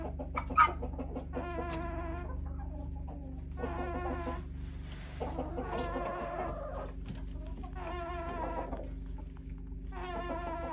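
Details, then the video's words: Backyard flock chickens giving odd calls: evenly spaced groups of nasal, harmonic clucks roughly every two seconds, against a constant low background hum. "Weird chicken sounds"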